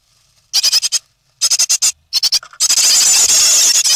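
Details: Three great tit nestlings in the nest on 9 May 2017, close to fledging, give high, hissing, rasping begging calls in rapid bursts that merge into a continuous shrill chorus.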